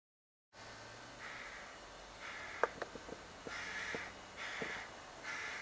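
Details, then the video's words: Young crow begging in a cherry tree outside a window: about five harsh, nasal calls spaced irregularly, with sharp clicks and taps between them in the middle of the stretch, after a brief silent start. "Begging Crow"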